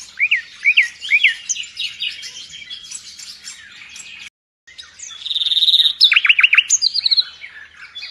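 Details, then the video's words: Full vigorous nightingale song, the bird used in Indonesia as a master singer for pet birds: looping upswept whistles and dense twittering, a brief gap, then a rapid buzzy trill and a volley of steep rising notes. "Nightingale song FULL gacor"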